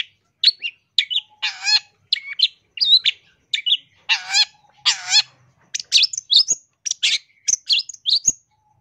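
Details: Long-tailed shrike masteran song, full of mimicked phrases, for teaching caged birds and luring wild ones: fast sequence of sharp chirps mixed with buzzy, rattling trills and high slurred whistles, nearly nonstop.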